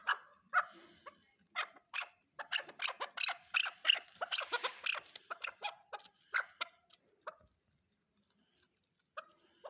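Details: Chukar partridge giving a clucking call series that starts with spaced notes, quickens into a run of harsh chattering notes, then fades. The final two seconds are near silent.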